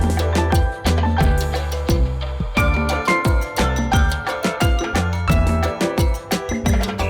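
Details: Lively salsa music with steady percussion, bass and brass, and no animal voice.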